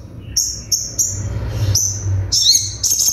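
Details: Crimson sunbird in sharp 'tembakan' song: a run of short, very high whistled notes roughly every third of a second, then a rapid shrill trill, over a low steady hum.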